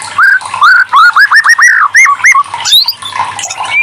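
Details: White-rumped shama song used as a lure to get silent or lazy shamas singing: a run of loud, clear upslurred whistles, each rising quickly and repeated about twice a second, then softer varied twitters, over a faint low hum.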